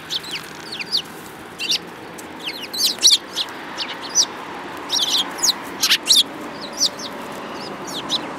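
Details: Lively sparrows chatter with frequent short high chirps and downslurred chips spread through the clip, some in quick pairs, over a steady faint hiss.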